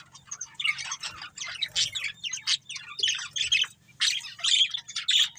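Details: Pet budgerigar breeding pair in continuous dense chatter, scratchy squawks and bright chirps tumbling together in rising and falling bursts, over a faint low hum.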